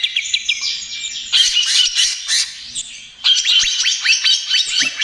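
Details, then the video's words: Trotol song of a greater green leafbird, meant as a lure and therapy for other birds. A fast rattle of sharp notes gives way to dense buzzy warbling, then quick rising whistled notes resume. "SUARA CUCAK IJO TROTOL GACOR, AMPUH UNTUK PANCINGAN DAN TERAPI"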